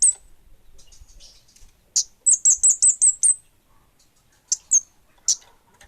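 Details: Orange-headed thrush, kemade bunga api form, singing energetically: a fast string of six bright slurred high notes, followed by a few isolated sharp chips and softer twitters.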